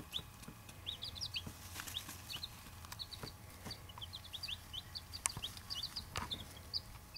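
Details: Buff Orpington and bantam chicks in a dense chorus of high, short, rising peeps overlapping continuously, with soft taps and a low background hum.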